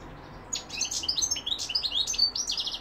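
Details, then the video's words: A European goldfinch sings a continuous, dense twitter of bright high notes mixed with thin buzzy and tinkling elements, delivered in quick succession. "goldfinch p throat sign 2021 مقنين الحسون"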